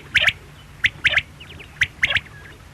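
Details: Quail giving crisp, high, clicking notes in a one-then-two rhythm, the phrase repeated three times in under three seconds against a quiet low hum.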